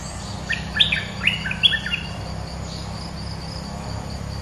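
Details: Bulbul lure song for trapping: one lively phrase of warbled, gurgling whistles delivered in quick succession, then quiet with a soft insect drone continuing underneath.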